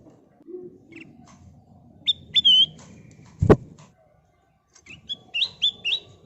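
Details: A sooty-headed bulbul sings as a lure to draw other birds into song. Short whistled notes come singly at first, then a quick run of bright rising and falling phrases. A loud knock sounds midway, with faint background rumble.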